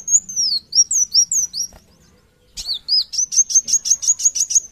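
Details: Van Hasselt's sunbird (kolibri wulung) in gacor singing: high slurred whistles falling in pitch, a short pause, then a fast even series of thin sharp notes repeated several times a second.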